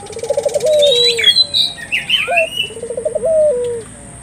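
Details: Short burst of turtle dove calling aimed at stirring local doves: a rapid rolling trill sliding into a long falling coo, a brief higher note, then the trill again, with loud chirps from another bird between.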